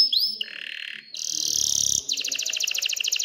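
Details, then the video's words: A short burst of excited canary song aimed at stirring females to mate and nest: a rising whistle, a buzzy tone, and a dense trill, then evenly pulsed bright notes. "تغريد كناري هائج لتحفيز الاناث على التزاوح وبناء العش"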